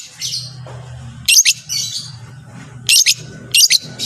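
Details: Long-tailed shrike training recording, played to make other shrikes sing: scratchy, rasping notes come in quick doubled bursts with gaps between, with softer hissy notes and a constant low droning hum behind.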